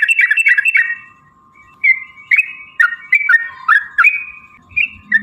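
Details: Yellow-vented bulbul, used as a lure to provoke other bulbuls into singing and fighting, gives bubbly, rapidly chattered phrases in a fast burst, then short liquid notes spaced about every half second, over a steady low humming tone.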